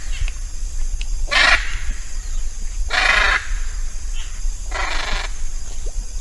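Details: Hyacinth macaw uttering three separate grating screeches spaced about one and a half to two seconds apart, harsh and noisy in tone, with low rumbling background noise throughout.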